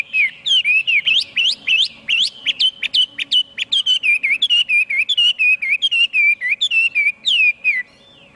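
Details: Chinese hwamei singing loud, varied whistled song: rapid series of clear rising and falling slurred notes, many repeated phrases with sharp upswept whistles, delivered almost continuously with brief gaps; faint steady hum beneath.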